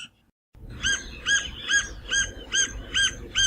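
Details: Green-barred Woodpecker (Pica-pau-verde-barrado) in the Brazilian Cerrado giving a steady series of squeaky, nasal two-toned notes, about two per second, over a low rumbling background.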